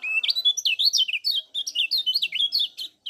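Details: Kecial kuning, a white-eye from Lombok, chattering non-stop as a lure to get other birds singing: quick high chirps and twisting whistled notes tumbling in a dense, rapid run of about a dozen per second.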